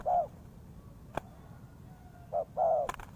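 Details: Spotted dove used as a lure for trapping, giving low, mellow cooing notes: one short coo at the start, then a pair of coos near the end, with a few sharp clicks and faint background hum.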